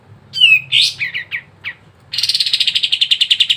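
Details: Sooty-headed bulbul song used to prompt silent birds to sing. A bright descending whistle and several brief down-slurred notes give way to a quick, even, pulsing buzzy rattle.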